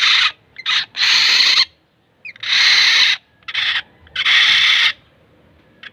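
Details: Black-naped oriole, locally called kilyawan, giving loud harsh, nasal, buzzy calls, each lasting about half a second to a second, in uneven bursts with short pauses between.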